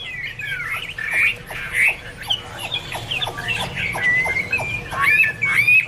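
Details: Chinese hwamei (Garrulax canorus) in varied song: scattered sharp chips and short warbled phrases, ending in clear rising whistles, over a faint low hum.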